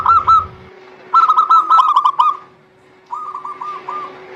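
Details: Local zebra dove song meant to prompt quiet doves to sing, played morning, noon and evening: three brief bursts of rapid, ringing, curved coo notes, the last softer, above a steady droning hum.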